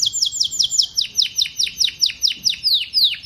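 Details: A canary sings a rhythmic series of bright, down-slurred whistled notes, about two to three per second, each dropping sharply in pitch, repeated evenly throughout.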